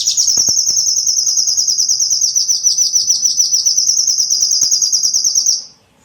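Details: Lure call for attracting small birds: one steady, very rapid high trill held for about five and a half seconds before stopping abruptly.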